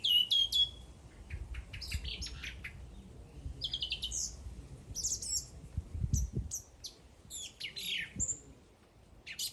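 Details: Bird song of quick, sharp high chirps and short trills tumbling one after another, with brief sweeping notes and soft low background noise.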